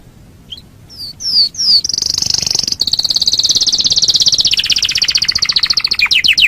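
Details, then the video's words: Canary master song for teaching other birds: a few sliding whistled notes, then a sustained rapid high trill that slowly drops in pitch before breaking into quick separate chips. "Masteran Suara Kenari"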